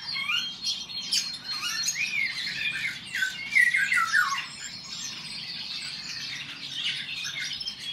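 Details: Two male Eurasian golden orioles in a song battle, rich flute-like whistles sliding down in a run of phrases midway, among constant high chirps and twitters of other birds.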